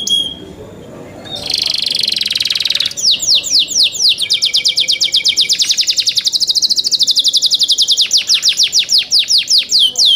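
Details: Young captive canaries: a sustained buzzy high note, then a long fast-rolling trill of repeated sharp descending notes, continuous and loud.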